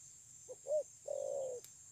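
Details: Spotted dove singing in the Vietnamese 'thổ' voice style, dated 9 June 2020: two short low coos, then a longer drawn-out coo with a slightly falling end, over a steady high hiss.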